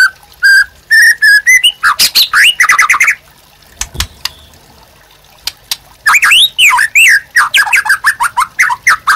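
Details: Captive white-rumped shama in lively song for provoking and tutoring other birds: steady whistled notes, a dense chattering stretch, a quiet gap with clicks, then a varied burst of slurred, tumbling whistles.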